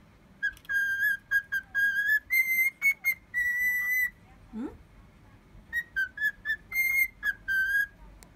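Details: Pet cockatiel whistling an imitation of a horse-racing fanfare: a series of pure, tonal whistled notes in short repeated bursts, stepping up and down in a melodic tune, with a brief low rising sound midway and quiet room background.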